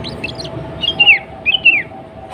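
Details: Sooty-headed bulbul, a female calling the male, used to provoke bulbuls into singing: a few short chirps followed by two clear whistled notes that bend downward, against a steady low hum.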